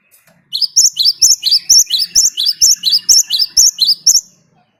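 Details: Great tit, vigorous rolling song meant to prompt other birds into singing; a long, even string of roughly sixteen piercing two-part notes repeated about twice a second, with a soft low murmur behind.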